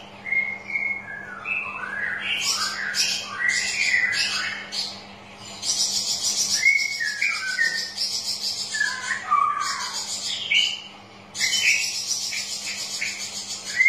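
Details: Straw-headed bulbul song used to coax birds that are reluctant to sing: rich, bubbling whistled phrases that rise and fall, delivered in bursts with short pauses, alongside hissy high chatter and a steady low hum.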